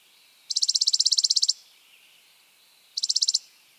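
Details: Spizella sparrow with a rapid dry trill of about a second made of evenly spaced high notes, followed after a pause by a shorter trill, over a quiet background.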